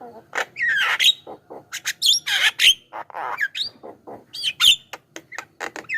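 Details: Javan myna lure song meant to draw wild mynas and prompt caged ones to sing: a jumble of harsh squawks, rising whistles and short chattering notes in quick, irregular succession.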